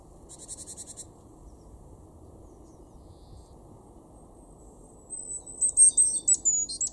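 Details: Great tit (Parus major) in a garden in Weener, East Frisia, northwest Germany, in March 2023, calls with a brief, high buzzy trill of about a second, then a quick run of sharp, high chirps over a low steady rumble.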